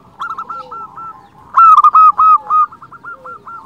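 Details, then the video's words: Zebra dove of a local strain cooing, a sound used to draw in and stimulate other zebra doves; rapid rolling, purring coos lead into a loud string of sharp, stuttered notes, then softer trilled phrases trail off. "Perkutut lokal gacor Suara unik cocok untuk pancingan semua jenis burung perkutut"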